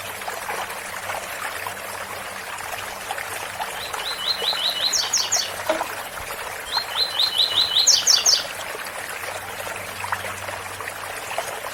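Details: Double-collared seedeater repeating its tui tui song twice, about three seconds apart: quick, evenly spaced chips rising into a cluster of higher, piercing notes, set against the continuous hiss of a waterfall.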